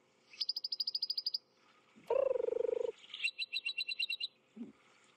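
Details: An unseen African firefinch in bushes at Djuma, Kruger National Park, South Africa, on a sunrise drive on 18 April 2016, gives rapid, high clicking trills in two one-second bursts; a lower buzzy drone and faint hum are other sounds.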